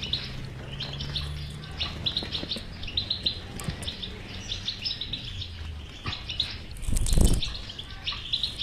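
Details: Bitbita of a European goldfinch, meant to stimulate a silent bird to sing: busy, jingling twitter phrases repeated rapidly, with a brief loud rustling burst near the end and low hum in the background.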